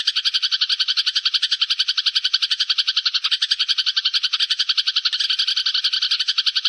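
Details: Sparrows giving a flock-gathering call, recorded as a lure for trapping birds: a dense, steady chatter of bright chirps repeated about four times a second, with no other sounds.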